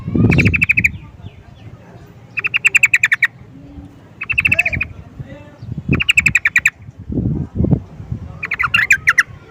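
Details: Yellow-vented bulbul (trucukan) calling in repeated short bursts of rapid bright chirps every couple of seconds, over low thumping noises and faint human voices.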